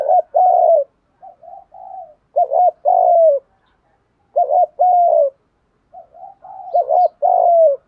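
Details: Spotted dove giving a lure call to bring in other doves, four loud coo phrases, each a short wavering note and a long falling coo, separated by softer low coos.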